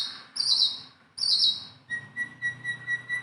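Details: Tame Sunda bulbul gives two hissy, buzzing high bursts, then a thin steady whistle pulsing about six times in quick succession.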